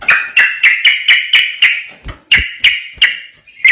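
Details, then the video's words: Sooty-headed bulbul song meant to lure and train other bulbuls: regular series of short, bright, ringing notes at even spacing, a brief break with low thumps, then more spaced notes. "trucuk ropel gacor cocok buat pancingan burung trucukan bahan"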